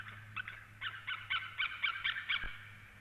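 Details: Calls of a female white-tailed eagle outside a nest in Latvia, evening of 4 March 2017: a somewhat distant series of quick paired yelps, growing stronger toward the end, over a constant low hum.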